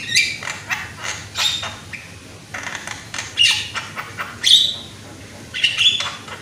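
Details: Loud young Javan myna, in a recording used to coax other mynas into song, gives spaced rasping, wheezy bursts with brief sharp whistles. Roughly one burst a second, with pauses between groups.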